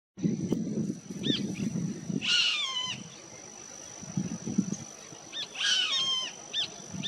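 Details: Roadside hawk in Punta del Este, Maldonado, Uruguay, June 2022, gives two harsh, nasal, downslurred squealing bursts about three seconds apart, over low wind rumble and a steady high insect-like whine.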